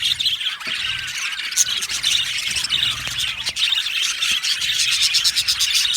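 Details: Aviary flock of budgies, called happy, keeps up a loud mix of squealing whistles, chirps and rattling ticks from many birds overlapping.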